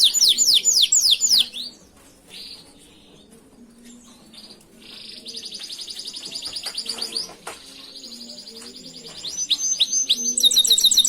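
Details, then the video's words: Canary song recorded as a master for training other canaries, opening with fast high sweeping trills, then a quieter stretch of soft notes before a long rolling buzzy trill builds up again. "Masteran burung Kenari"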